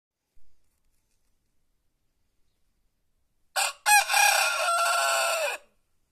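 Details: White rooster crowing in the countryside: after a short sharp note and a pause, one loud harsh cock-a-doodle-doo opens with two clipped syllables, then holds a long strained note of about two seconds before cutting off. No other sounds.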